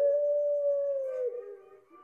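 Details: Single loud, sustained Puter Pelung dove coo, soft in tone and used as a lure for birds, held steady then gently dropping and fading away.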